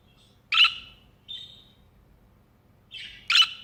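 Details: Budgerigar on a hand makes a loud scratchy chirp, then a short thin note, then another harsh chirp preceded by a softer rasp.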